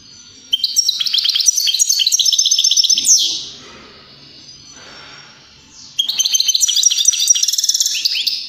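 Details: A European greenfinch sings in two bursts of rapid, bright twittering trills and chirps separated by a quiet pause of about three seconds. The song is used to stimulate other birds to sing and mate.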